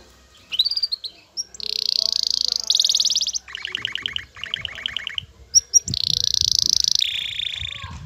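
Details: Excited male canary singing courtship song to a female; short rising whistles, dense buzzy high trills, and lower chattering pulsed phrases, with quieter background noise near the end.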